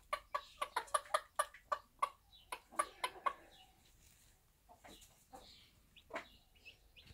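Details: Bantam hen, a backyard mother with one-day-old chicks, uttering a quick run of short clucks, then quieter scattered clucks and thin, high peeping from the chicks.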